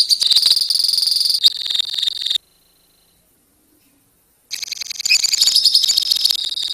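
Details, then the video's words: Colony of lovebirds in long ngekek song: rapid, high, dense chattering trills for over two seconds, a two-second silent gap, then the shrill rattling trill resumes and continues to the end. "KICAU LOVEBIRD KOLONI INI TERBUKTI HANYA BUTUH WAKTU 4 MENIT SAJA LANGSUNG NGEKEK"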